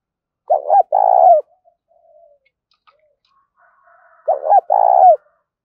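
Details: Spotted dove cooing to attract wild doves. Two phrases about four seconds apart, each a pair of short low notes leading into a sustained, rolling, falling coo. Faint soft cooing in the gap.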